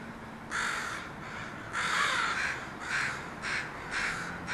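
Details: A group of crows landing at a house and calling noisily; a series of five or six hoarse caws, the longest near the middle, following each other at roughly half-second gaps.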